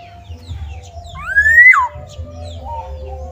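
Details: Black-naped oriole active outside its cage, giving a single loud, reedy upslurred call that breaks off into a falling tail, with low murmuring noise and faint bird twitters around it.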